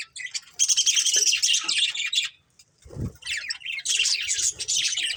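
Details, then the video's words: Breeding pair of budgerigars chirps and warbles in two long scratchy, high-pitched bursts split by a brief silence and a low thump. "Cute Budgies Chirping Sounds | Love Birds Breeding Pair"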